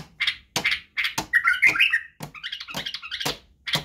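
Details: Badrawi white-eared bulbul singing as a training recording for young birds, with barwaz and wing snaps. Loud snapping clicks open and close a bright, rapid, liquid warble in the middle, followed by a quieter jumbled chatter.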